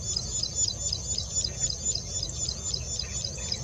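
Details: Plain prinia song recorded 11 April 2020; quick series of sharp high chipping notes, about four each second, over a steady high tone and low background rumble.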